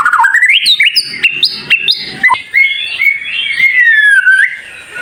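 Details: White-rumped shama song, sharp and high, meant to get other shamas singing: quick stepping whistles jumping upward, a sharp downward flick, then a long wavering whistled phrase.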